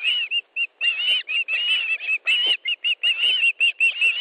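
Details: Loud piping of an osprey at an Estonian nest while fish is brought in, 1 August 2013: clear whistled notes repeated rapidly and unevenly, some slurred together into longer chirps.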